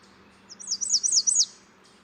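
A female warbler sings a high, thin phrase of five or six quick down-slurred notes lasting about a second, over a faint low hum.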